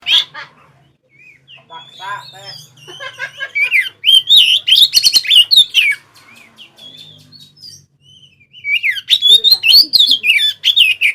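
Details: Oriental magpie-robin singing, used day and night as a lure for other birds: loud bursts of varied whistles, rising and falling slurred notes and rapid chattering phrases, with quieter gaps between bursts and a faint low hum.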